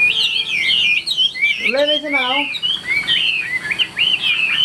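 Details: 'Ngũ trường' song from a caged Chinese hwamei kept for tail-fanning fights: rapid varied whistles throughout, broken midway by a stacked series of lower curved notes, then more looping whistled phrases.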